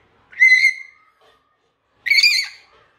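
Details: Grey parrot in Dhaka, Bangladesh, giving two loud calls about one and a half seconds apart: first a clear, sliding whistle, then a harsher, richer squawk. Quiet between the calls.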